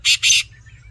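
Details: Black francolin giving two loud, harsh, rasping notes in quick succession, the second longer, followed by quiet low background rumble.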